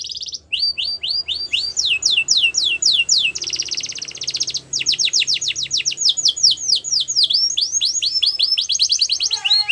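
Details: Singing yellow canary in the wild: rising and falling slurred notes repeated in quick succession, switching into dense buzzy trills and rapid swept-note rolls that run almost without a break.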